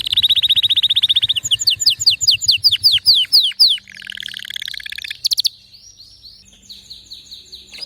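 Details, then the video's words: Canary song with distinctive notes: a fast trill of repeated high chips, then a series of downward-sweeping whistled notes, a short buzzy passage and sharp chirps, ending in quieter soft notes. "تغريد روووعة ونوطات مميزة canary"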